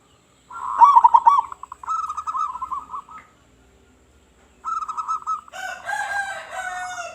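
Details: Local zebra dove calling with a big voice to lure other doves: a loud burst of stuttering coos, a softer trill, then a rising rolling phrase and a harsh overtone-rich call.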